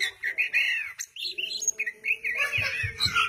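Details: Oriental magpie-robin in full song: rich, clear whistled phrases, some sweeping up and down, others short and chirpy, delivered almost without pause, with a faint low hum and a few soft thumps toward the end.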